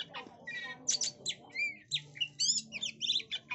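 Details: Female Oriental magpie-robin singing rapidly, used for luring birds, with bright whistles, sweeping slurs and scratchy chatter packed closely together; faint background hum.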